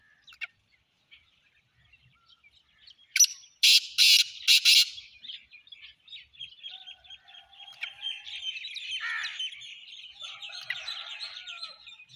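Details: Black francolin call heard as a burst of four loud, rasping, broadband notes after a quiet start, then a busy chorus of fainter chirping and twittering birds.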